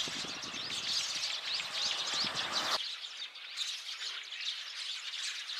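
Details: Flock of sparrows recorded 8 February 2024: a thick chorus of chirps with a run of short rising notes early on, rumbling background noise that stops abruptly partway, then chirping continues more cleanly.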